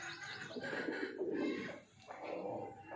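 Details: Low, rolling coos from a breeding pair of pigeons, one long rumbling phrase swelling and fading, then a shorter softer coo after a brief pause.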